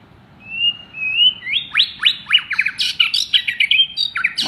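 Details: Loud song of a contest-champion white-rumped shama, a bird one molt old offered for sale: opens with thin rising whistles, then rapid steep down-slurred notes and dense chattering, varied phrases.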